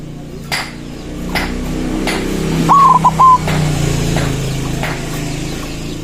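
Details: White zebra dove (perkutut putih) song meant to call rivals and lure other zebra doves: one brief burst of clipped, even-pitched cooing notes under a second long, with sharp clicks recurring about every second and a steady low hum.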